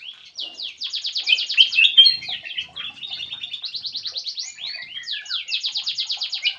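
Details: Black-crested bulbul lure call: rapid buzzy chattering trills in quick repeated bursts, high-pitched and sustained almost without pause, with a few brief whistled notes mixed in.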